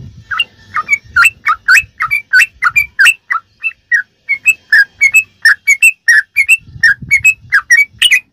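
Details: Fast ropelan song from a sooty-headed bulbul, played to teach captive birds: a steady stream of bright, slurred whistle notes, some doubled, continuing without break; occasional low background murmur.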